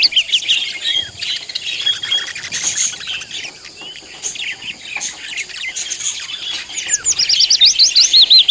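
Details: Budgerigar flock chatter: busy high chirps and squawks throughout, ending in a run of quick, loud, rising and falling chirps.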